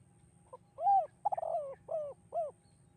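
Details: Spotted dove, 'kuk 2' song style: a soft lead-in note, a strong arched coo, a rapid stuttered, burbling coo, then two more clipped arched coos at even spacing.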